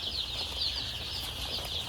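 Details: Many chicks packed together in a box on a poultry farm, huddling against the cold, give a dense, steady chorus of high, thin peeps that overlap without pause, with a low hum underneath.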